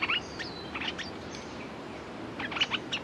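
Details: Red-whiskered bulbul used as a decoy, calling to draw in a territorial wild bird. A few sharp, quick chirps open the stretch, then a quiet pause, then another short burst of clipped twittering notes near the end.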